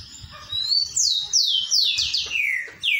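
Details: Green-winged saltator giving the song style called "3 notas boi": loud, clear whistled notes, each sliding steeply downward, delivered in a quick series of about seven phrases over three seconds, with faint low background noise.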